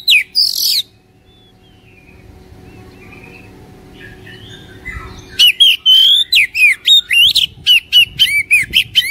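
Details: Song of an Oriental magpie-robin used to coax a lazy caged bird into singing. A short whistle opens, then a quiet stretch with faint notes, then a rapid run of loud, sharp, slurred whistles.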